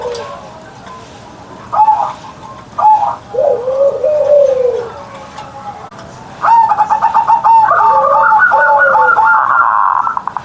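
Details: Zebra dove kept as a pet, singing loud morning song: scattered mellow coos and a long descending note, then a fast rattling, stuttered run of coos building into a dense bubbling phrase.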